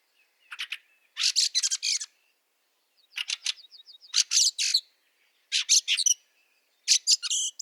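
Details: Wintry March scene in Liepāja, Latvia, 2023: a Fieldfare repeats harsh, scratchy chattering series of several rapid notes roughly every one and a half seconds, with soft high twitters from another bird in the gaps.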